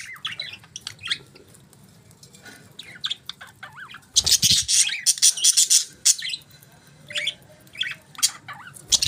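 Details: Budgies chirping in the morning: sparse warbled chirps and twisting squeaks, then a sudden loud flurry of harsh chatter with a low thump, followed by scattered chirps again.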